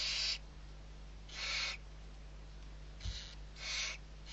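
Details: Barn owl owlets, six young being fed at Riet Vell reserve in the Ebro Delta, Spain, on 21 November 2023. Four harsh, breathy hissing screeches about half a second long at uneven intervals over a steady low hum.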